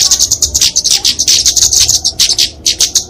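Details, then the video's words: Short burst of kemade flowerpecker fighting song for songbird training and luring; rapid, high, sharp ticks repeated quickly in a dense chattering sequence. "Kicauan Kemade Tarung Untuk Masteran&Pikatan Burung Kecil!"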